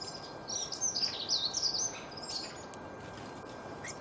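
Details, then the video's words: Small songbirds singing: a lively run of high, sweet chirps and bright trills that peaks in the middle, then thins to scattered faint notes against constant background hiss. "أصوات العصافير تغرد"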